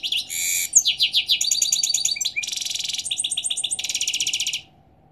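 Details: A European goldfinch sings in the morning, mixing harsh buzzy bursts with rapid rolling trills, sweeping twitters and long fast chattering series, loud and continuous for over four seconds.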